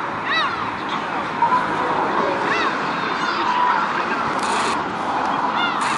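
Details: A bathing gull, perhaps courting, gives three brief, harsh, slightly downslurred calls about two to three seconds apart, over steady splashing and rushing water.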